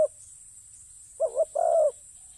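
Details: One cooing phrase from a spotted dove working as a ground decoy: two quick soft notes, then a sustained low croo that dips slightly at the end. The start is cut off and the surroundings are quiet.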